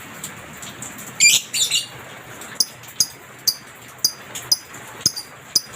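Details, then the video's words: Lovebird recorded as masteran song for training pet birds: one raspy, buzzy burst near the start, then a string of short, sharp, high chirps spaced roughly half a second apart against low background hiss. "masteran suara Lovebird ini mampu membuat Lovebirdmu gacor"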